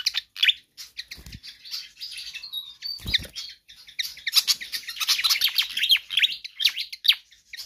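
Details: Pied fantail in full energetic song, used to tutor or lure other birds. Scattered squeaky notes and a thin level whistle lead into a loud, dense stretch of chattering downslurs, with two low thuds early on.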